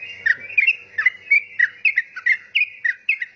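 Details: Yellow-vented bulbul singing energetically: rapid series of bubbly, whistled notes around mid-high pitch, about three per second, each note a short rising-falling flourish, with faint low background sounds.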